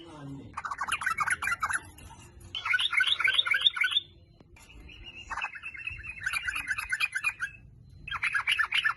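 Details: Sooty-headed bulbul song played as a lure to get other bulbuls singing: dense runs of quick, bubbly chirps, each burst lasting one to two seconds, broken by brief gaps and a few sustained, thinner notes.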